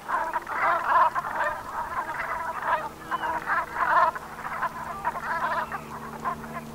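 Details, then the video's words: A wintering flock of Brent geese on the Gulf of Morbihan in Brittany at sunset, 7 November 2021. Many rolling, throaty calls overlap in a steady murmur, with louder bursts roughly every few seconds. "BERNACHES Cravants/Automne/Ambiance Sonore"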